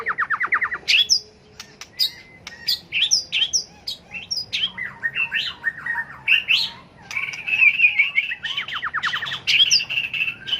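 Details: White-rumped shama in fighting song for competitive training, tail flicking; fast trill, then scattered sharp notes, a rolling undulating warble, and another rapid trill with loud whistles near the end.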